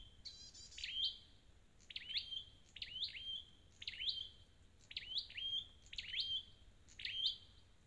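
A Scarlet-backed Flowerpecker gives thin, very high, sharp tinkling notes with a quick falling whistle, repeated about once a second.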